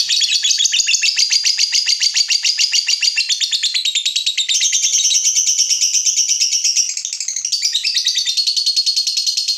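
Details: Fighter lovebird, emotionally provoked by a rival, in a sustained shrill chatter: rapid buzzy pulses running continuously, pitch wavering and rising midway, with a brief change of tone near the end.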